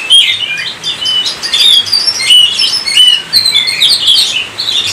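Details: Kacer (Oriental magpie-robin) singing in gacor fashion to set others off: loud whistled upslurs and downslurs, each phrase short and varied, coming in quick succession.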